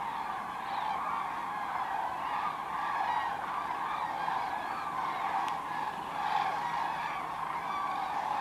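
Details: Common cranes flying in to roost in a Kvismaren wetland where 24,000 are present; a thick wall of trumpeting calls from countless birds, swelling slightly in places, with one faint click midway.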